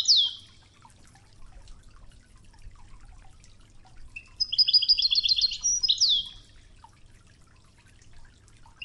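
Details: Wedani-style song of a European goldfinch on an original training recording with river murmur: a single down-slurred whistle, a long quiet stretch of gentle water, then a rapid run of repeated high chirps closing with a sweeping note.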